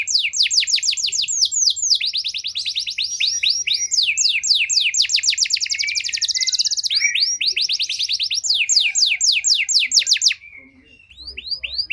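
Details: Canary lure song (pancingan) meant to provoke out-of-condition canaries into responding: rapid, loud trills of down-slurred whistled notes, roughly four per second, shifting between rolling and buzzier rattling phrases for ten seconds, then a short quiet ending.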